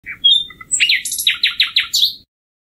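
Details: Common nightingale singing a short phrase: a few thin whistles and a rising note, then a run of five loud, sharp, down-slurred notes repeated rapidly, ending on a high flourish.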